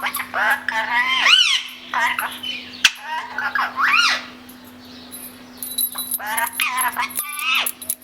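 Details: Pet Indian ringneck talking parrots kept indoors, calling as their owner talks to them: loud rising-and-falling harmonic squawks and screeches in uneven bursts, with a pause midway, a steady electrical hum and the owner's voice.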